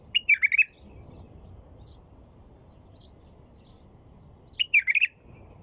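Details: White-eared bulbul singing two short bursts of rich, liquid, warbling notes, one at the start and another about four seconds later, separated by a quiet stretch with faint distant chirps over low steady background rumble.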